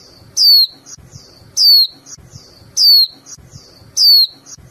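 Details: Female white-eye in captivity calling steadily to rouse the male into song: four loud, high, downward-sliding chirps, evenly repeated about every 1.2 seconds.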